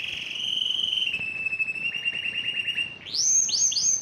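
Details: Yellow canary singing a long, smooth rolling tone that gradually quickens into pulses, then switches to a series of quick upward-sweeping whistled notes.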